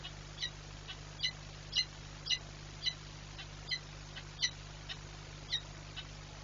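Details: Female peregrine falcon at a nest site in Płock, recorded 15 March 2022. Faint, harsh, high calls repeat roughly twice a second over a steady low electrical hum and background hiss.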